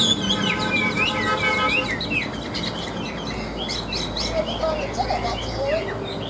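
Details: Caged Chinese hwamei giving high "ngũ trường" style song: clear rising and falling whistles at the start, fading into softer warbled phrases against a constant low hum.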